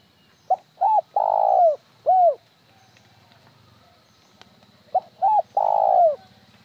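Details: Spotted dove calling twice. The first phrase has two short notes, a long burry falling coo, and one separate trailing note. The second phrase has the same three parts but no trailing note. A faint low hum is heard.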